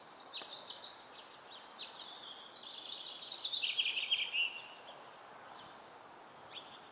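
A house finch sings a rambling warble of quick high chirps that builds over four seconds and ends on a slurred downward note, against soft background hiss.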